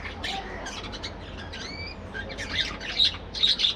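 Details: Budgerigars in a breeding colony aviary during morning activity: a quick scratchy stream of chirps and squawks, a pair of short rising whistled notes midway, then louder harsh bursts near the end over a low background hum.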